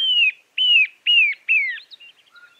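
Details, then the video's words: Narrow-billed Woodcreeper (chinchero chico) singing four loud, clear whistled notes, each sliding downward, about two per second, then a few softer trailing notes. "Chinchero chico"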